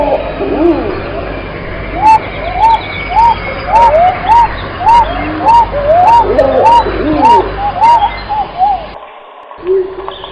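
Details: A long, regular run of arched pigeon coos, almost two per second, over softer overlapping calls and sharp ticks. The sound cuts off abruptly near the end, followed by a different low tone.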